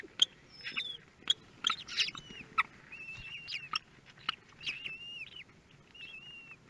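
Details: Common kestrel chicks hatching in a nest at Théding, France, 24 May 2022; thin, high whistled peeps, some slurred and falling, repeated irregularly among soft clicks and scratching.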